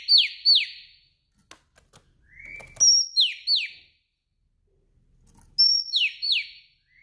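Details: Afternoon calling by a female Oriental magpie-robin, meant to stimulate males to sing: paired descending buzzy slurs, a lower short rising note, then high whistles each followed by two or three falling rasps, repeated; faint clicks between.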